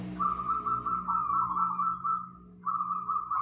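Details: Local wild zebra dove giving a loud, dense song used as a master recording to lure and train other birds: a sustained, vibrating mid-pitched coo held about two seconds, a brief pause, then resuming, over a low steady hum.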